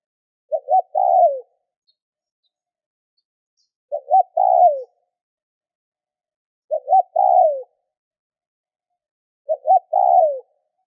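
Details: Spotted dove calling to stimulate other doves to call: a low cooing phrase of two quick notes and a longer, slurred coo, repeated four times about every three seconds against a silent background.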